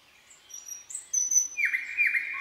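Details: Night song of a Common nightingale in forest, with thin high whistles followed by a loud, rich, slightly buzzy sustained phrase and a brief lower whistle at the end.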